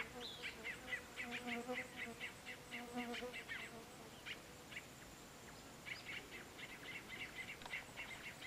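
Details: Maria Preta from the Sertão region of Brazil, delivering rapid chattering series of short bright notes about four per second, pausing briefly then resuming; a low tonal hum sits underneath the first half.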